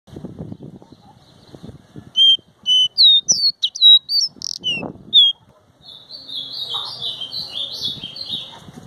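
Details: Caboclinho seedeater singing a series of clear whistled notes, some sliding and looped, in quick succession, then a softer buzzy warbling phrase; low rumbling background noise at the start.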